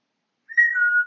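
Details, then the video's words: Pet male African grey parrot indoors, recorded 20 August 2022, whistling: one short clear whistle that steps down from a higher to a slightly lower steady pitch, held under half a second. "My African Grey Parrot Whistling Away"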